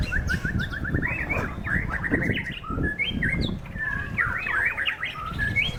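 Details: Caged white-rumped shama at a singing contest in strong wind: opens with a quick string of repeated rising notes, then jumbled whistles and sweeping slurs, with a steady wind roar underneath.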